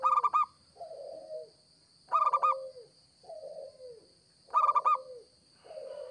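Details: Local zebra dove repeating its song, used to lure wild doves: three bursts of rapid stuttered coos, each answered by softer, lower coos that fall in pitch, over a constant faint high whine.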